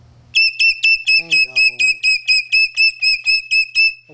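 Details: Pet Moluccan cockatoo indoors giving a fast, even series of about fourteen bright piping whistle notes, followed by a person's brief low voice.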